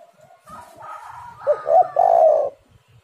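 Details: Lively spotted dove (tekukur) song meant to lure others into singing: a faint drawn-out tone and soft murmurs lead into a loud phrase of two quick hoots and a long, buzzing low coo.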